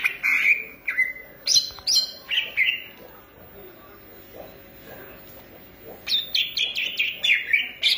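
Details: Energetic cucak ijo, a green leafbird from Indonesia, gives bright whistled phrases and sharp chips in quick bursts, falls quiet for about three seconds, then resumes with a fast stream of high chirps.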